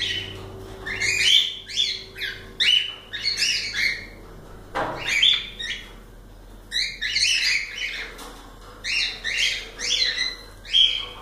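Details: Several cockatiels singing: bursts of harmonic, squawky chirps and short whistles in quick clusters, with a brief pause near the middle, over a faint low hum.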